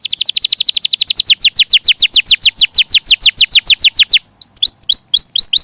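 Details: Lively, melodious canary song: a dense fast series of falling whistled notes that gradually slows, a short break, then higher upslurred whistles.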